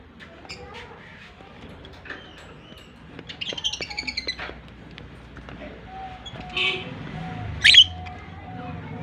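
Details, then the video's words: Pet pair of lovebirds, one blue and one white albino, giving scattered high, sharp chirps and short squeaky tweets, with a louder burst near the end, over a steady low tone and faint room noise. "Parrot pair Natural Sounds"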